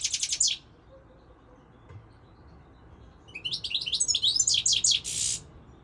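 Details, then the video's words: Goldfinch song: a short burst of rapid chattering notes, almost three seconds of quiet, then a longer run of bright twitters and buzzy, tinkling phrases. "Singing Goldfinch, saka kusu تغريد الحسون الاروع هذا الموسم"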